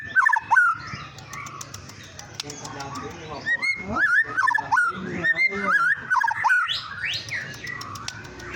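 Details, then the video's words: White-rumped shama lure song meant to provoke other birds into singing: rich, varied whistled phrases sweeping and warbling at mid pitch, delivered in quick irregular bursts with short gaps and some faint background chatter. "Pancingan burung murai batu bikin emosi"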